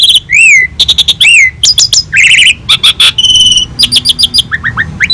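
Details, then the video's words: Asian pied starling singing actively in a master recording made for training other birds, rich full song: rapid series of high whistles, down-slurred and arched notes, buzzy bursts and short chirps, with loud notes separated by brief gaps. "Masteran burung jalak suren gacor || full isian mewah"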